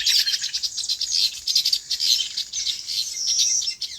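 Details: On a farm, birds in their natural habitat keep up a loud, continuous tangle of high, sparkling chirps and twitters, many voices overlapping without pause.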